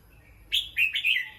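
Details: Caged competition Red-whiskered bulbul during a rest, giving a brief phrase of three quick, slurred, warbled notes, bright and mid-to-high pitched, the first a falling slur and the next two rolling together, over a quiet background.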